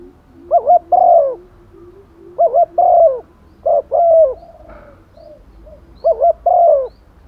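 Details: Female spotted dove used as a decoy, calling to males in the rainy season: two quick hooked coos followed by a longer, wavering drawn-out coo. The phrase repeats four times, about every two seconds, over a quiet background.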